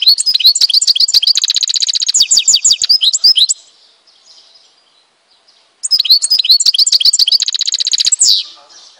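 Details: European goldfinch, Tizi Ouzou, Algeria: two long phrases of rapid, tinkling twitters blending into a high, buzzing trill, each lasting over three seconds with a brief quiet between.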